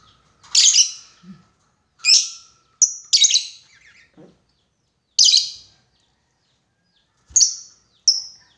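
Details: Lovebird calling out to a rival in a lure recording of long 'ngekek' chatter; loud, piercing squawks, some doubled, burst out irregularly with short quiet gaps between them.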